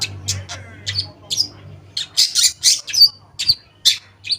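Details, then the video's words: Long-tailed shrike singing in a lure meant to make silent shrikes sing again: harsh, squawky bursts mixed with clipped whistled notes, spaced roughly a beat apart, over a steady low hum. "Pancingan Cendet Ampuh, Pancingan Cendet Bahan Atau Macet Bunyi, Cendet Macet Akan Ikut Bunyi"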